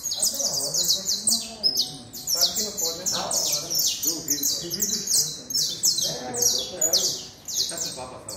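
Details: Saffron finch singing a fast, high series of sharp descending chirps repeated in quick runs, with a lower murmur of other sounds beneath.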